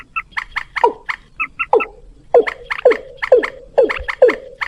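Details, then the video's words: Lure recording of white-breasted waterhen calls: short bright paired clucks give way to a steady series of loud, falling, throaty swoops about every half second. "pikat burung ayam ayaman + suara mandar batu tar gacor"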